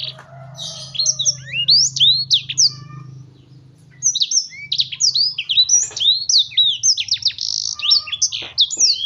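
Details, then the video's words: Black-throated canary (blackthroat) in an agitated state, bursting into rapid high song after a quiet pause: quick-fire slurred whistles and chirps tumbling over one another, with a faint low hum behind. "langsung emosi gk pakai lama blackthoat"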